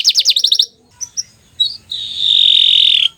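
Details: Bottle-green canary with a quick burst of rising chips, a brief pause with a few isolated high notes, then a long, level, buzzing trill held for over a second.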